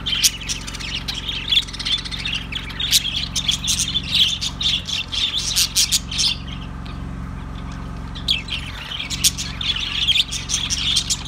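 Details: Budgerigars calling in bursts of sharp, high chirps and squawks, clustered in busy flurries with a brief quieter stretch near the middle, over a constant low droning hum.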